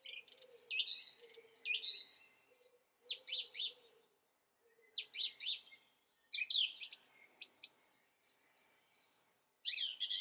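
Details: Singing song thrush delivering varied phrases separated by short pauses, each a cluster of sharp, high, repeated notes, some with bright whistled tones; a faint low hum runs underneath early on.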